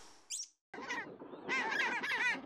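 A penguin gives a harsh, nasal, wavering honk that runs on for nearly two seconds. It follows a brief high chirp and a moment of silence.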